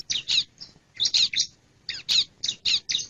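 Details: Male bar-winged prinia calling in short groups of two or three high, scratchy chirps, repeated at roughly one-second intervals.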